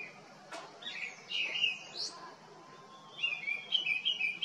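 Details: Grey-winged Blackbird calling tunefully in a Himalayan botanical collection at Jabbarkhet, India, with foxgloves in bloom: a sharp click, then mellow slurred whistles, a pause, and a quick run of bright warbled notes, with a faint long whistle underneath.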